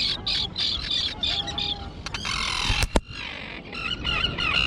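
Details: Young terns, recently fledged and now flying, calling on a small island colony overgrown with dense grass. Harsh high notes come in quick uneven bursts, with a sharp knock near the end and broadband rustling behind.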